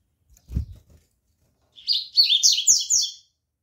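A rusty-collared seedeater sings a fast run of bright, slurred, buzzy notes, about four a second, lasting just over a second, after a dull low thump.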